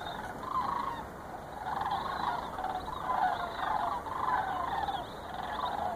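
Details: Migrating sandhill cranes over the Chicago area in November 2014, flying and circling. Many overlapping rolling, rattling calls rise and fall in waves from a large flock, with a steady background hiss.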